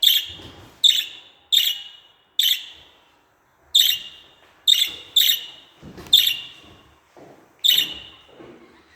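Budgerigar giving sharp, high chirping calls, about eight in nine seconds at an uneven pace, with faint room noise.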